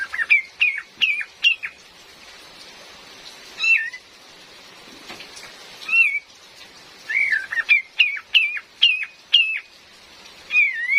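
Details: Female cream-vented bulbul used as a lure for trapping, calling in loose bursts of sharp rising chirps and bending whistles, separated by quieter gaps, with steady rain hiss throughout.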